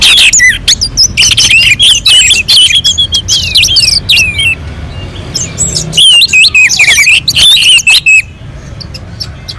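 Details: Mountain-slope orange-headed thrush in full, melodious song used to provoke other birds: long rapid outpourings of high whistles and twitters in two bursts, separated by a short gap, fading near the end.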